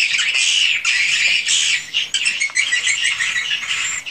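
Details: Many swiftlets twitter inside a swiftlet house, a continuous high, buzzy chatter with repeated clicking phrases rising and falling in loudness.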